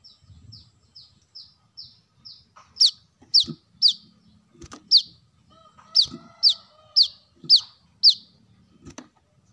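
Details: Brown-throated sunbird song used as a lure for birds: a run of short, thin high notes, then louder, sharp, downslurred high chips about twice a second, with faint low rumbling noise below.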